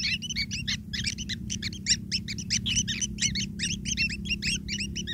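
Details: Nestling long-tailed shrikes begging from a parent bringing food: a dense, rapid chorus of sharp rising squeaks with a ringing quality, running almost without break, over a continuous low mechanical hum.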